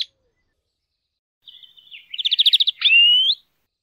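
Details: Greenfinch song: faint twittering builds into a quick, pulsing trill of about eight notes. It ends on a clear, whistled note that holds level, then rises sharply at the end. Otherwise silent.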